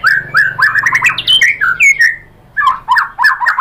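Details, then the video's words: White-rumped shama (murai batu) answering a lure recording with 'tembakan'-style song: fast run of slurred, rising and falling whistles mixed with harsh notes, a brief gap, then another quick whistled burst. "pancingan MURAI BATU agar bongkar materi TEMBAKAN"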